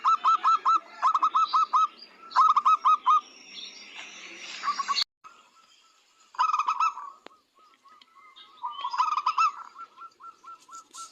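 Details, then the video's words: Local zebra dove singing as a training model for other birds: crisp, evenly spaced low cooing notes in rhythmic bursts, a pause, then softer trills, with high bird chatter and a sharp click. "Masteran burung perkutut"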